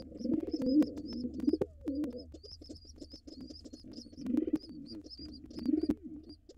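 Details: At a nest box, a wild rock pigeon pair, white male and gray female, sit together with young nestlings. Soft, bubbling coos in repeated bouts sit under thin, high cheeping notes repeated steadily throughout.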